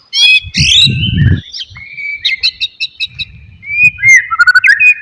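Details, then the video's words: A white-rumped shama's varied song used as a lure for a quiet bird: harsh opening notes, a long steady whistle, a chain of short chips, low background rumble. "MURAI BATU BENGONG,, DIEM .//. LANGSUNG RESPON DENGARKAN KICAUAN INI"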